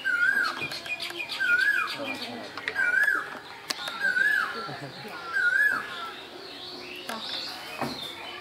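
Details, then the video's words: Asian koel, the kokil of Bangladesh, calling in spring: a short, wavering whistled phrase repeated about every 1.4 seconds, five times, over a busy, cluttered background of other sounds. "বসন্তের কোকিল, কোকিলের ডাক"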